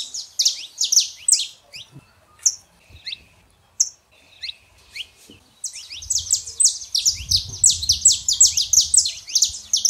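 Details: Male and female saffron finches, for warming up a quiet canary: a burst of quick high chirps, a sparse gap with scattered notes, then a dense rapid chirping run over a low rumble.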